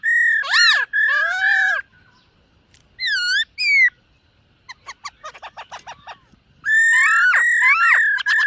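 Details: Black-throated laughingthrush in morning voice training, singing while dancing. Loud arching whistles, then a stretch of soft rapid clicking notes, ending in a rich run of overlapping whistled and slurred notes.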